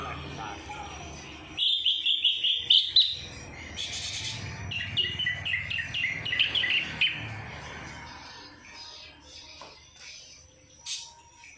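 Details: Greater green leafbird singing a song filled with phrases learned from the kapas tembak: a rapid run of bright chirps, a brief rushing burst, then more quick varied chirpy notes fading into a hissy background with a few distant notes.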